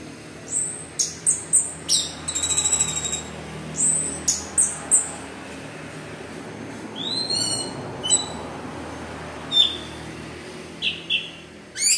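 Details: 'Gacor teler' song of an orange-headed thrush, meant to set other thrushes singing: clipped high notes repeated about once a second, a short buzzy trill, then scattered chirps and sharp whistles over steady background noise.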